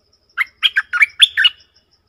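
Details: Bulbul (merbah lekir) recorded 20 March 2022: a quick phrase of five bubbly, warbled notes that slur between low and higher pitches, delivered in pairs over about a second and a quarter, with quiet background.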